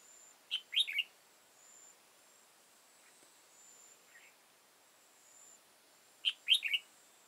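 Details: {'text': 'Old wild red-whiskered bulbul, tall-crested and dark-bibbed, at a trapping site on 15 October 2018; a lively three-to-four-note warbled phrase opens and another answers near the end, with a faint constant high whine behind.'}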